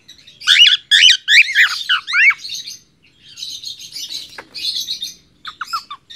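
A cockatiel sings bright, rapid whistled chirps, then warbling trills and a few sharp descending notes.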